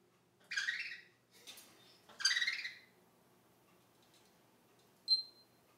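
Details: A talking budgerigar imitates the sound of fighting budgies with harsh, buzzy squawks, followed by a brief high whistle.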